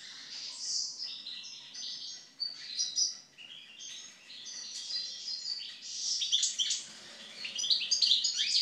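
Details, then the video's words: European goldfinch (Carduelis carduelis) singing after its moult: a fast, jangling twitter of high tinkling notes and short buzzy trills, running almost continuously with brief pauses. "European Goldfinch (Carduelis Carduelis) after moult song."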